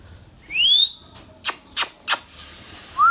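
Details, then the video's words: Baby rose-ringed parakeet (ringneck, Indian green parrot) calling: a clear rising whistled sweep, then three sharp, harsh squawks about a third of a second apart, with a short rising whistle at the end; quiet room background. "Ringneck baby Parrot sounds"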